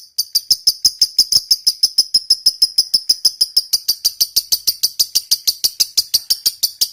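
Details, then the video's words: Long 'ngekek panjang' chatter from a fighter lovebird. Rapid, sharp, high, rasping notes are repeated evenly about three per second for nearly seven seconds, gradually growing fuller and harsher. "LOVEBIRD CEPAT BUNYI, Lb Fighter Ngetik Ngekek Panjang"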